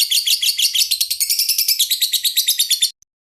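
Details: Lovebird master song for training: a rapid, evenly pulsed string of high, shrill chirps, about eight notes per second, running for roughly three seconds and then cutting off sharply. No other sounds.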